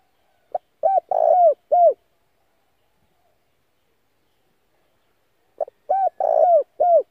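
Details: Decoy Spotted dove calling to entice wild doves: two matching phrases about five seconds apart, each a quick introductory note followed by three low, rounded coos bending downward at the end. Nothing else is heard.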